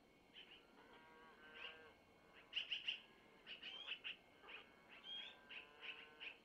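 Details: Young long-eared owls calling as their mother feeds them food handed over by the male, about 05:05 at a nest camera; scattered high, squeaky chirps, some in quick triplets, over faint, layered tonal notes.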